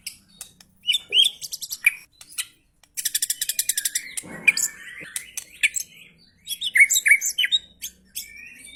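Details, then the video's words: Coarse 'materi kasar' singing by a White-rumped shama (F3): scattered chips and short swoops, a long fast rattling trill lasting over a second, then harsh bursts with bright upswept whistles. "Murai batu f3 materi kasar"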